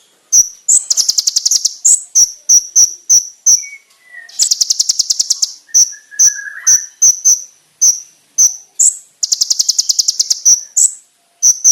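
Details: Konin master song with varied loud phrases: sharp high chips repeated about twice a second alternate with dense buzzy trills, and brief lower slurred whistles fill the gaps.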